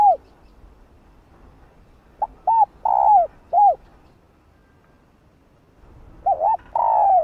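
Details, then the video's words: Female spotted dove cooing to stimulate males to call: the end of one phrase of soft arched coos, a brief pause, then a hollow, rhythmic phrase of arched and drawn-out falling notes, ending on a long coo. "Tiếng cu gáy Mái ,cu mái kích trống nghe là gáy 100%"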